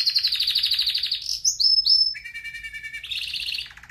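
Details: Canary of the red factor type, sung for training: a bright rapid trill, three upward-curving whistled notes, a low steady double-toned trill, then a quick high rattle.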